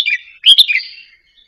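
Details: ['Indonesian-type Red-whiskered bulbul kept in a cage, gently practising its doubled phrase; a short slurred note followed by a louder, bubbling chortle that trails off into a soft fading whistle.']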